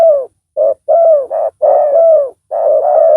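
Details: Decoy spotted dove with a big voice calling to draw a rival. Dense, partly overlapping low coos run almost continuously, long notes sliding downward between brief clipped ones.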